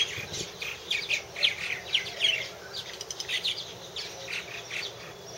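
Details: Recorded in 2014 at one of three purple martin houses: scratchy chirps and throaty gurgles from several birds, with busier bursts early and softer chatter later.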